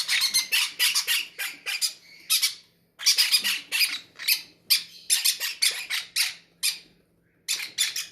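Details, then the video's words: Hungry parrots in an aviary beg at feeding time with loud, harsh, rasping squawks in rapid clusters, several per second, broken by brief pauses, in a quiet indoor setting. "feeding our hungry drangon parrots"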